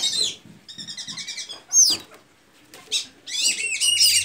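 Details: Blue-gray tanager (pipira azul, sanhaço azul) from Santa Inês, Maranhão, singing: squeaky high notes, a quick run of even chips in the middle, then a sliding squeal and a dense chattering burst at the end.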